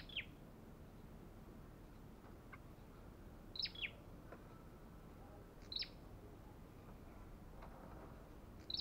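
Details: Belligerent olive-backed tailorbird giving isolated sharp, high chip notes, sometimes doubled, spaced roughly two seconds apart, against a quiet, hissy background.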